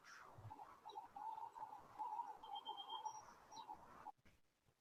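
A mourning dove gives a soft, hollow, low cooing held for about four seconds before cutting off, over faint room noise.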